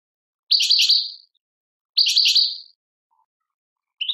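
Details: Tadmait, Algeria goldfinch uttering short, bright twittered phrases of a few rapid chirps, repeated about every one and a half seconds.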